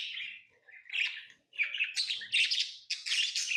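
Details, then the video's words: Pet lovebirds chatter with rasping, rising chirps that speed up into rapid, noisy bursts of squeaky calls, about a dozen notes in under four seconds. "Love birds Sounds | lovebirds chirping sounds"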